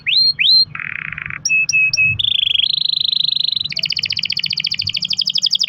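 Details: Canary singing long rolls as a lure for other canaries: two rising whistles, a low buzzy roll, clipped repeated notes, then successively higher fast trills running continuously.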